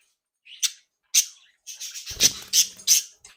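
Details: Playful, active captive budgerigars: a few separate harsh high squawks spaced about half a second apart, then a faster run of loud raspy calls over a soft low rustle.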